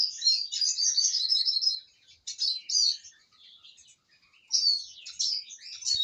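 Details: Eurasian siskin, described as contented and well fed, singing a busy run of high twittering, trilled phrases with short pauses, bursts near the start and again toward the end; no other sounds.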